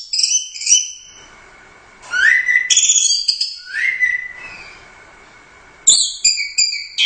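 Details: Prize-winning competition orange-headed thrush, first at the Royal Cup, delivering short bursts of high, clear whistled notes with rising slurs, separated by brief pauses, in a lively, energetic style.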